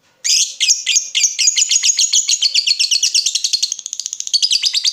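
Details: Chatty lovebird in a lure recording meant to make other lovebirds answer with ngekek: a long, fast, harsh chattering trill of rapid repeated buzzy notes lasting nearly five seconds, slightly quickening near the end, with no other sounds.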